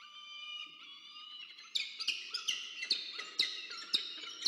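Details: Peregrine falcons at a nest box at Charles Sturt University, Orange, New South Wales, Australia, 24 October 2022, as the male delivers food and the female feeds two chicks: harsh, harmonic drawn-out calls, then loud rapid chipping bursts about twice a second.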